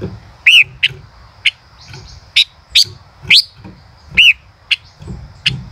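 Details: Singing male common rosefinch in the "chế cựa hai" style, giving arched clear whistles about once a second, mixed with brisk clicking ticks and snaps over a low background hum.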